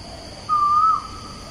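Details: Asian koel recorded 14 September 2021 at Bukit Batok East, opposite Bukit Batok nature park: a single clear whistled note about half a second long, rising slightly before fading, over faint steady hiss; other birds are in the background.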